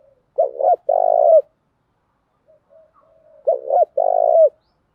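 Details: Spotted dove cooing used as a decoy to excite other doves: a pair of loud low phrases, each opening with two short hoots and ending in a sustained buzzy coo, faint soft notes in between.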